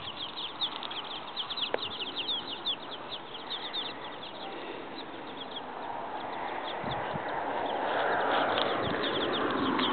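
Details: Seven chicks with their mother hen in a yard; dense, rapid, high thin peeps, about three or four per second, continuing throughout over a steadily rising wash of background noise.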